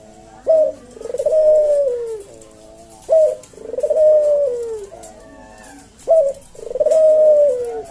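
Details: Puter jawa collared dove cooing kuk deruk in the slow senggang style meant for tutoring cage birds; three phrases, each a sharp clipped note followed by a long descending coo, roughly every three seconds.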